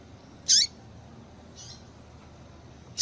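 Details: Female double-collared seedeater call for rousing males: one loud, sharp high note with a falling tail, a faint softer note a second later, then another call beginning at the end.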